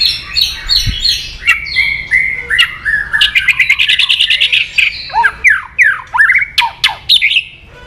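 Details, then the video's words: White-rumped shama singing to provoke aggression: a long, energetic string of rapid chattering notes and swooping whistles, steadily repeated. "AWAS MURAI BATU MU IKUT EMOSI ‼️‼️"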